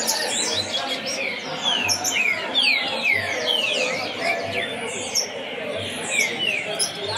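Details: Lined seedeater (coleiro) taken out to get used to a competition setting before a tournament: a fast run of clear descending whistled slurs repeated in quick succession, with a steady background hum.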